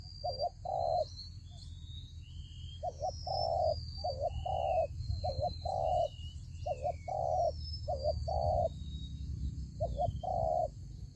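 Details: Decoy spotted dove in a fighting trap cooing in repeated paired phrases, a quick double note then a drawn-out purring coo, about five rounds; faint thin whistles from other birds and a constant high hum behind.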